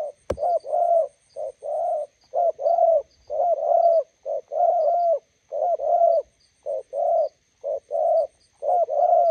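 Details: Spotted dove by the roadside, a decoy meeting a wild bird, pouring out busy low cooing, short and longer coos in close pairs throughout, opening with a sharp click; faint chirps in the background.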